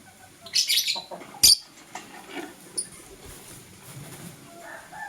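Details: Blue and green lovebirds chirp in the morning. A rough, high chatter is followed by one sharp, shrill chirp and then fainter scattered twitters.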